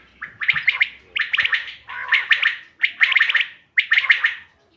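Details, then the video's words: Calls of common quail (bater) from 5 June 2025, used for hunting: rapid, slightly rasping triple and quadruple chirps in five regular bursts, each lasting about half a second. "bater ki awaz shikar k liye behtareen awaz quail bird sounds for hunting بٹیر کی آواز"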